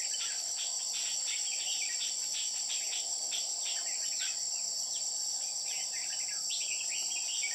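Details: Red-whiskered bulbul used as a decoy bird during trapping, singing quick runs of bubbly, chirping notes in short bursts throughout, over a loud, steady, high insect drone.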